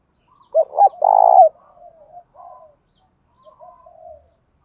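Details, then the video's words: Spotted dove uttering a challenge coo used to provoke fighting and rouse wild doves. Two quick short notes lead into a long, loud, low coo, followed by quieter trailing coos from other doves. "Tiếng thúc đấu/ chim cu gáy kích bổi và tập mồi"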